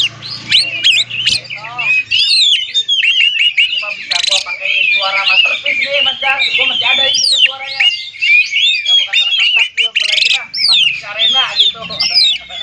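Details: Oriental magpie-robin song meant to spur other magpie-robins into singing: a long dense medley of whistles, trills and harsh rasping notes, delivered in rapid bursts.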